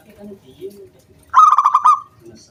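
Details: Local wild zebra dove singing as a lure for other doves: faint low murmuring notes, then a sudden loud rattling trill lasting under a second.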